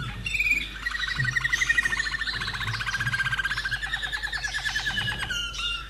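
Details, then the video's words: Song of a kept common nightingale in Austria, a bird from 2011: a brief whistled intro, then a long, even, machine-gun trill of rapidly pulsed notes lasting several seconds before stopping abruptly. "Mein Slavujar Singt ein kleines Lied"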